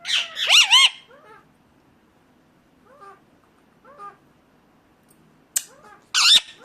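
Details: Ringneck parakeet giving a loud shrill squawk burst, then several soft, short chattering notes spaced about a second apart, ending with a sharp click and another piercing squawk.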